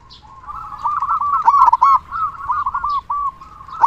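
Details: Local zebra dove singing boldly, used as a lure to make other doves sing. Rapid bubbling coos in a continuous rolling series with a few louder, ringing notes midway.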